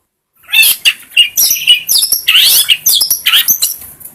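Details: Long-tailed shrike song for training other birds, a busy stream of high scratchy chirps, buzzy squawks and looping whistled phrases delivered without a break.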